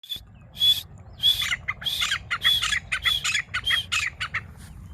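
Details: Grey francolin, known locally as teeter, from Layyah, Punjab. Harsh, squawking notes repeat rapidly, about one and a half per second, in an uneven series. Each note is bright and buzzy with a clear whistled tone at its core, over a low background hum.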